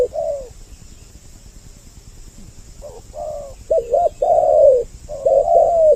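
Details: Spotted dove lure recording, a double-voiced call meant to draw in males and females: low hollow coos, one brief note, then after a pause a run of four linked coos with a wavering middle, over a steady high hiss.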